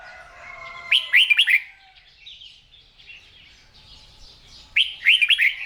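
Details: Caged red-whiskered bulbul in morning song training; a loud burst of rapid, swooping whistled notes, a few seconds of quieter warbling, then the same bright phrase again.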